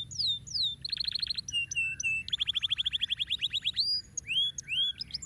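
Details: Canary song for stimulating lazy birds to sing: swooping whistles, a fast pulsed trill, a long rapid rattling tour, then scattered looping notes.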